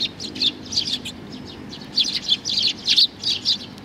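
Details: Little sparrow fledgling giving short clusters of high chirps, a pause, then a quicker burst of sharp notes.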